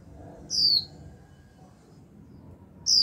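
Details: Young female Japanese white-eye calling 'chíu' to encourage males to sing: a strong, high-pitched note sliding downward, followed after a pause of about two seconds by the onset of the next call.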